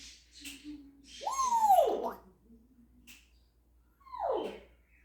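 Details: Pet African grey parrot imitating a cat: one drawn-out arched meow-like call, then a shorter descending meow a couple of seconds later, in a quiet indoor room.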